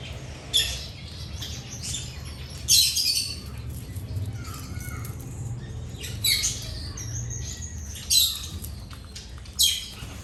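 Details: Birds chirping while eating: harsh, squawky bursts roughly every two seconds over a low steady hum.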